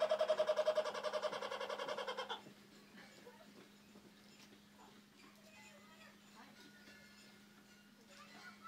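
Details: A laughing kookaburra, apparently signalling its territory at Turtle Bay Exploration Park in Redding, California, gives a loud burst of rapid, harsh, chuckling notes, about three or four a second, that cuts off after two seconds. Then only a faint indoor hum.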